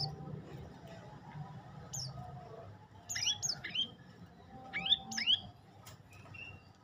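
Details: Olive-backed tailorbird singing: a few sharp, high chirped notes in short pairs and clusters, bright downward-slurred chips around the middle and end, over a low background hum.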